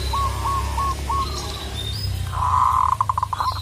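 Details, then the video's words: Local zebra dove calling to a rival, with spaced soft coo notes followed by a sustained rolling coo, over a steady low hum and faint high chirps from other birds. "Perkutut lokal gacor memanggil lawan"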